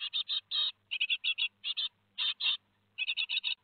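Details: Raspy, rapid chirping from great tit nestlings two days before fledging, Théding, 15 July 2020; short clustered calls alternate with longer drawn-out rasps, over a faint low hum.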